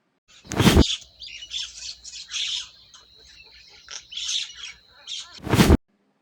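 A myna gives a run of varied squawks, chattering notes and a thin sustained whistle for about four seconds, framed by two loud bursts of other sound.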